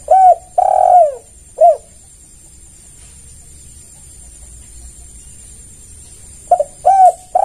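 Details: Spotted dove lure cooing: one full phrase of short coos, a long mellow coo and a closing clipped note, then a long silence before the next phrase begins.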